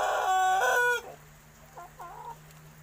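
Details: Young Pelung rooster about six months old, just learning to crow, ends a strong harmonic-rich crow abruptly after a second, followed by faint distant clucking notes and a steady low hum.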